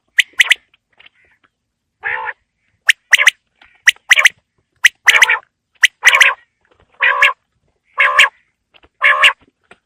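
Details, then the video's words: Winter evening quail calling: crisp triple-note phrases alternate with short, buzzy, harsher notes, repeating roughly every second with no other sounds. "Quail Calling Sound For Winter | Baiter Ki Awaaz Sardiyon Ki Sham K Leya | بٹیر کی آواز سردیوں کیلئے"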